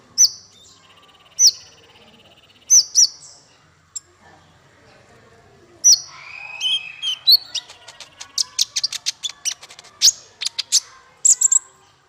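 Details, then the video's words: Tutor song for training small fighter birds. Widely spaced piercing high chips and a short pulsed trill give way to a dense, rapid burst of sharp twittering notes that fills the final half. "Masteran paling merdu untuk burung faigter kecil"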